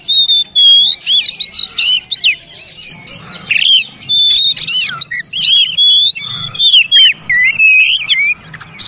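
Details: Oriental magpie-robin in full song, used as therapy for birds that will not sing: dense run of loud varied whistles, quick up-and-down slurs and scratchy chirps, almost unbroken across the whole stretch.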